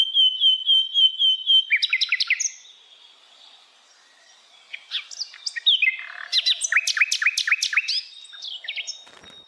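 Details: Flycatcher known as Sikatan Londo, wild in forest, opening with a series of quick high whistled notes, then a pause, then fast rattling trills and sharp descending chirps in rapid succession.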